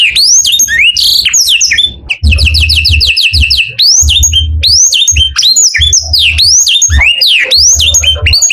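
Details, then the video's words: Morning song of canaries: rapid whistled upslurs and a quick rattling trill, packed into repeated phrases, with a low thumping hum underneath at times. "O SOM DOS CANÁRIOS FAZ OUTRA EMOÇÃO DOS CANÁRIOS E ALEGRIA A VOZ DA MANHÃ"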